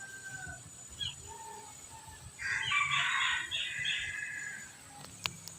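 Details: Red junglefowl, one of two being trained as decoys, crowing first: one hoarse, drawn-out crow of nearly two seconds after a quiet stretch, with faint chirps of other birds before it and a few sharp clicks after.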